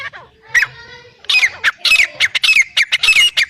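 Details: Black francolin (Irani teetar), male and female calling: after a brief soft opening, harsh, grating squawky notes repeat in quick uneven bursts, each rasping call with a sharp downslurred accent.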